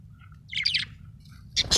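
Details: Budgerigar chirping happily, a quick buzzy warbled phrase followed after a pause by a second loud scratchy chirp burst, with a steady low hum beneath.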